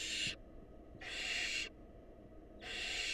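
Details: Barn owls, wild, in their nest box during a mouse handover from male to female and on to a nestling. Three long, breathy screeching hisses are separated by short silences.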